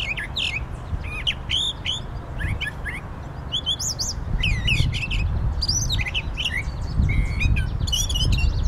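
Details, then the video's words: Brown Thrasher singing a rapid string of varied, rich phrases, whistles, chirps and slurred notes, some repeated, over a steady low rumble of wind. "Brown Thrasher Singing"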